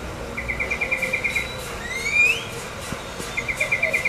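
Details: Morning alarm call of a Tropical mockingbird in Corozal, Belize: rapid buzzy rattling series of even notes, a rising whistled slur in the middle, then the rattle resumes; faint insect-like hiss behind.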